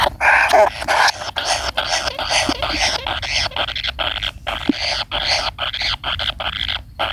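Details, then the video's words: Kingfisher chick waiting for its parent: a steady stream of short, hoarse, hissing rasps with irregular pauses, dense and scratchy throughout, plus a couple of faint low clicks. "burung tengkek kayu menunggu induk nya"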